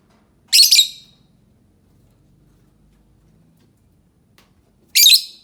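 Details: Lovebird giving two short harsh, raspy screeches about four seconds apart, with silence between.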